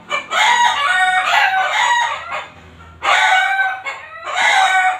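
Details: Backyard chickens next door, calling day and night: loud, strained, harmonic crows in long bursts of about two seconds, separated by brief quieter gaps with low background rumble.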